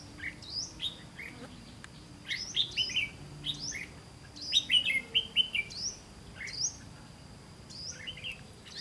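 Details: Decoy red-whiskered bulbul and others at a September 2016 trapping attempt: clusters of sharp rising chirps and quick warbled notes in several bursts, over a steady high whine and low background rumble.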